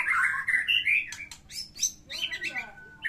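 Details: Fighting song of a white-rumped shama, full of borrowed phrases, meant to coax a quiet shama into singing: loud slurred whistles open, then sharp chips, buzzy bursts and a long thin whistled note.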